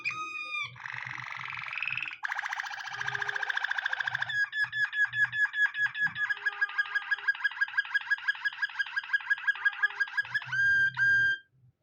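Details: Canary singing a long varied song: a whistled opening, a buzzy rolling trill, then a fast even run of clipped repeated notes lasting several seconds, ending in clear whistles, with soft low thumps beneath.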